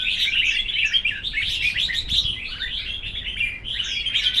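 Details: Singing contest of red-whiskered bulbuls, with bright chirpy whistled notes tumbling over one another in a continuous, busy chorus and no clear gaps.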